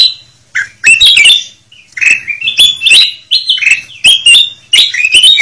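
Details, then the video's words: Golden bulbul (kutilang emas) calls used to lure birds: loud, busy bursts of bright whistled and chattering notes, rising and falling, in rapid repeated phrases with short pauses between. "Suara Pikat Kutilang Emas Ribut"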